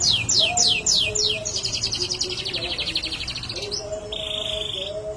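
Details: Canary song opening with loud descending swept notes repeated about five times, then a fast buzzy rolling trill and a steady high whistled tone, with low background hum throughout.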